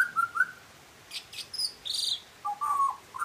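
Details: A butcherbird sings clear whistled notes, low fluty phrases alternating with higher, brighter whistles and quick chips.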